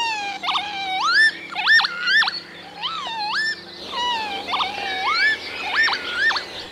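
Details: Northern lapwing male's courtship call given during display flight over wet meadows, with acrobatic loops, sudden turns and dives, wing whistling; wheezy, sharply rising and falling slurred calls, about two a second, with an odd electronic, siren-like quality resembling an alarm.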